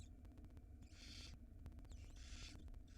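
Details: Nesting barn owls in Israel with nestlings, female bringing food; two loud breathy hiss screeches about a second apart, each roughly half a second long, with low hum and clicking behind.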